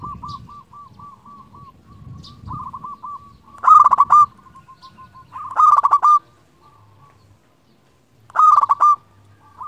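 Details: Local zebra dove challenging rivals, used to lure doves: soft repeated looping coos at first, then three loud stuttered cooing phrases spaced roughly two seconds apart.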